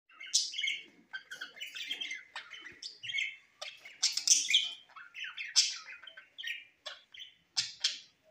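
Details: Parrot recorded on September 13, 2023 in Larkana, Sindh, giving a busy run of sharp chirps and short warbled notes, closely packed with brief gaps, lasting the whole stretch with no other clear sounds.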